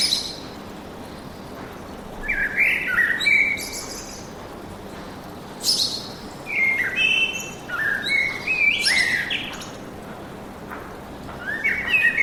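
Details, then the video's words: Lively forest chorus of chirps and whistles arriving in several clusters over twelve seconds, the notes varied in pitch and often stacked, with a quiet hiss between the bursts. "Пение птиц в лесу"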